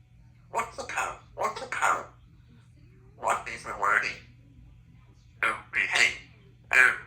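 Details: Pet female Congo African grey parrot, three years old, talking at home; known for the phrases 'give me a kiss' and 'I love you'. Clusters of rapid, word-like syllables come in three bursts over a low background hum.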